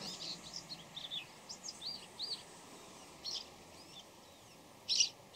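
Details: Bull-headed shrike calling before dawn in a varied mix of voices: short high chirps, slurred rising and falling notes, and scattered twittering, ending with a louder sharp note; a steady low hum runs underneath.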